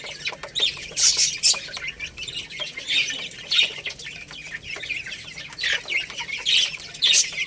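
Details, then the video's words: Young Lohmann Brown rooster and hen chicks feeding on rice; loud piercing peeps rise in bursts roughly every second or two, with faint clicks between them. "Chicks Chirping Sounds"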